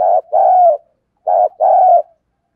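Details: Decoy spotted dove urging wild doves closer with its coo. Two loud, mellow phrases, each a short coo joined to a longer sustained note, separated by a short pause.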